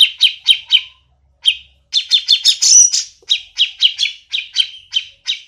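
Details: Grey-cheeked bulbul (Alophoixus bres) call: harsh, buzzy chirps in quick runs of about three or four a second, with short pauses between bursts.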